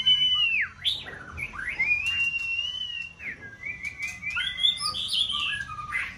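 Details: White-rumped shama, a caged contest bird in breeding season, singing sliding whistles, a long steady note and a run of quick chirping notes.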